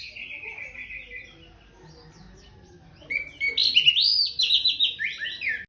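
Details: After bathing, an orange-headed thrush gives a quiet sustained whistle, a short lull, then a burst of loud, fast, rich warbling with rising and falling slurred notes, ending on a descending phrase.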